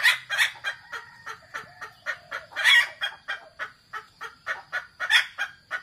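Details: A wild red junglefowl (kasintu type) gives a quick run of dry, scratchy clucks, about three or four a second and uneven in strength, over a thin, steady high whine; the call is used as a lure for decoy junglefowl.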